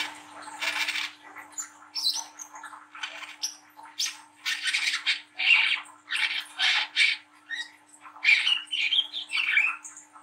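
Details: Young spotted-plumage brown-throated sunbird in lively ngriwik nglagu style, used as a lure to spur young birds to sing. Dense bursts of harsh, high chattering twitters alternate with short sweet whistled notes, with a steady low hum throughout.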